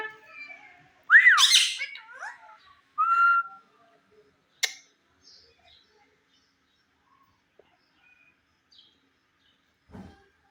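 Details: Indian ringneck parrot talking indoors: a burst of loud, warbling, speech-like squawks and a short whistled note in the first seconds, then near silence with faint clicks.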